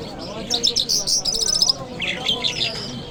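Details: High chattering lark song from Kabul on a Friday morning, quick stuttered trill notes followed by a short burst of chirps, over a low background murmur.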